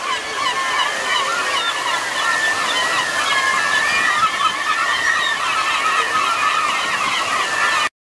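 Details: Mixed gulls gather along the rocks at a fish ladder in Damariscotta Mills, Maine, hunting spawning alewives; a continuous crowd of harsh, overlapping yelps and squeals fills the scene above running water, ending abruptly.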